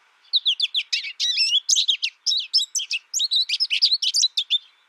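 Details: Steady American Goldfinch song: a nearly continuous stream of sharp, high twittering notes and short warbles lasting almost five seconds, with no other sounds.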